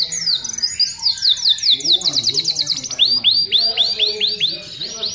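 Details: Atlantic canary in lively tutor song: a fast series of falling high notes, then a run of rising upswept whistles repeated about twice a second, over faint lower warbling.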